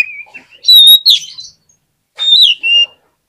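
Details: Oriental magpie-robin song meant to provoke lazy birds into singing: a short whistle, then loud piercing whistled phrases falling in pitch, a pause, and another sweeping two-part whistle.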